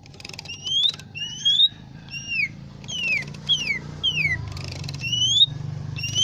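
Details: Lesser green leafbird singing clear, pure whistles: alternating long rising and falling slurs, some doubled, given in a steady flowing sequence with faint background hum.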